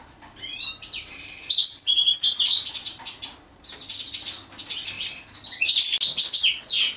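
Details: European goldfinch singing while mating: three bursts of bright, rapid twittering and tinkling high notes with buzzy trills, separated by short pauses.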